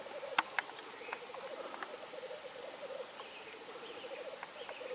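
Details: Black grouse in Norway, 8 May 2019: steady rapid bubbling pulses run through the clip, with sharp clicks at the start and a few higher thin whistled notes from other birds.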